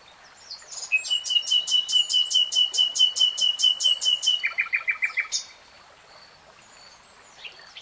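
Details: Common nightingale pouring out a long run of even, rapidly repeated whistled notes over about four seconds, then a short lower series of chunky notes before silence.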